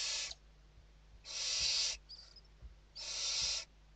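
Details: Barn owls inside a nest box in Spain at evening feeding time, late November 2023: three loud breathy hissing screeches spaced about one and a half seconds apart, soft thumps and a low hum between.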